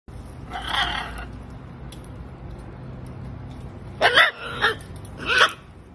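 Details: A macaw fighting on a window gives three short, harsh, raspy squawks in quick succession, after an earlier rougher burst of noise.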